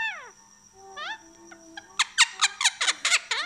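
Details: Talking Indian ringneck parakeet kept as a pet, starting with downward-curving whistled notes, then a fast run of about nine loud, harsh rising squawks in under two seconds over a faint constant hum.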